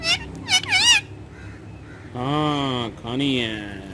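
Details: Green ringneck parrot on a wall, described as talking in Urdu and Hindi, gives three quick wavering squawks followed by two drawn-out nasal, voice-like utterances with rich overtones.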